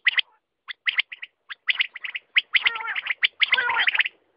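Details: Quail giving rapid, rough chirping calls in dense bursts, some notes with lower harsh chattering underneath, the series growing busier toward the end.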